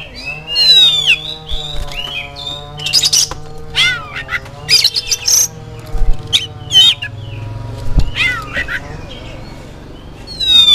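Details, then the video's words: Oriental magpie-robin song used to lure kept birds into answering: scattered sharp whistles, chips and short buzzy bursts with a descending slurred whistle at start and end, over a constant low droning hum. "DENGAN PANCINGAN INI SEKETIKA KACER ANDA LANGSUNG NYAUT IKUT BUNYI"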